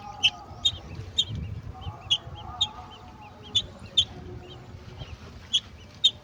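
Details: While a golden oriole feeds a mantis to its babies, bright, abrupt high chips come every half second or so, about a dozen in all, over a soft low hum.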